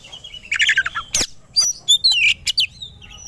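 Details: Oriental magpie-robin (kacer) provoked into fighting mood: a short scratchy warble, a sharp click, then quick high whistles and chirps.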